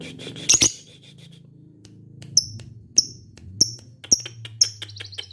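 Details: Lovebird of the fighter type giving "ngetik" calls: short, sharp, high chirps about every half second after an opening burst, with a faint low hum underneath.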